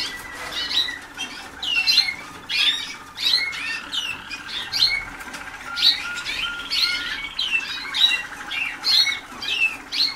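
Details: Waterslager canaries early in song schooling, 2010, with irregular bright chirps and slurred high notes scattered through the recording, several birds overlapping above a low background hum.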